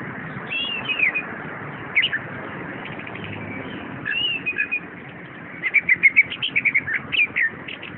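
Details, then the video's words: Orange-headed thrush kept in a cage sings sweet whistled phrases that begin sparse and turn into a fast burst of repeated sharp notes near the end, with faint low hum. "anis kembang jos"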